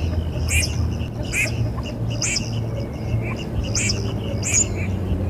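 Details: Red-crested pochard giving a rapid series of brief, harsh, sneezy notes, roughly one every second, with a constant deep rumble underneath.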